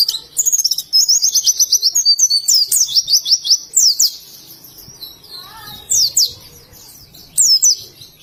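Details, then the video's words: Indonesian oriental white-eye in ngalas song, giving a fast run of evenly repeated high chirps followed by spaced, sharply swooping whistled phrases separated by brief pauses. "Burung Pleci Ngalas"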